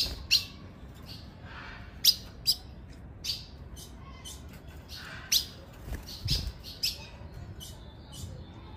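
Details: Female ultramarine grosbeak call, used to excite and fire up males: short, sharp, high chirps given singly or in quick pairs at uneven intervals, some fainter notes between, over a quiet low hiss.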